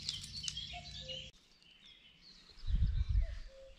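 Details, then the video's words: Common cuckoo calling at the river on the Oberoste: two descending two-note cu-coo calls, the first early and the second near the end, over a busy chorus of high chirping songbirds and bursts of low rumbling wind noise. "Der Kuckuck ruft an der Oberoste - The cuckoo calls at the river"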